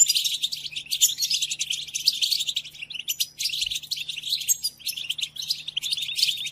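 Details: Song of a European goldfinch, played to caged goldfinches as a tutor: continuous fast tinkling and twittering, with short gaps around three and four and a half seconds, and a faint steady low hum.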